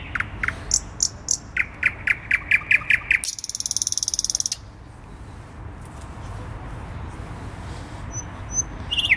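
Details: Thrush nightingale performing after midnight in May in a small tree in central Warsaw, about two metres up; a loud series of repeated clicking chock notes, a dense buzzy rattle, then quiet pauses with a faint high whistle.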